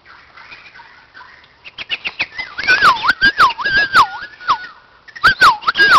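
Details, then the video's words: At a playground, a white-crowned shama starts with soft warbles, then delivers a fast series of loud looping whistles that dip and rise, punctuated by sharp clicks, repeated about twice per second. "White crowned shama"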